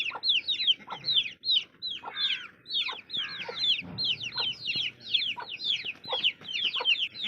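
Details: A chorus of baby chicks gives constant high, downward-slurred peeps, overlapping and rapid, with several birds calling at once throughout.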